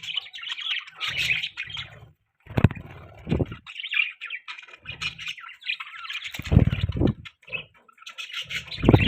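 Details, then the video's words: Budgerigar chattering in buzzy, squeaky warbles, broken into several bursts. Low thumps and knocks are heard between the phrases. "Beautiful Budgie Chirping Sounds"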